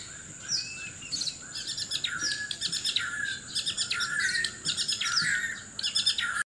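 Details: White-rumped shama from Sabah, Borneo, singing loudly while seeking a mate: a rich, varied run of whistles, rapid chirps and sweeping notes, phrases tumbling one after another with hardly a pause.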